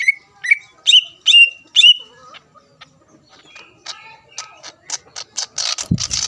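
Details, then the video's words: Greater green leafbird song meant to rouse rival leafbirds: five loud, sharply descending whistled notes, then quieter twitters giving way to a fast, harsh, high chattering burst. "PANCINGAN CUCAK IJO GACOR AHLI MEMANCING CUCAK IJO LAWAN AGAR EMOSI"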